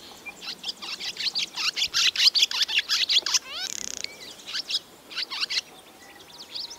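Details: Barn swallow chicks in a nest above a milking parlour door on a rainy farm day, calling in a fast run of sharp, high chirps, about two or three per second, broken briefly by a short rising mechanical whine.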